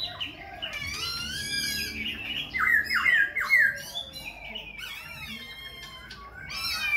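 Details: Khe Sanh laughingthrush singing and dancing with constant voice changes; harsh squawky notes mixed with a loud burst of three quick repeated downslurred whistles midway, then varied chatter.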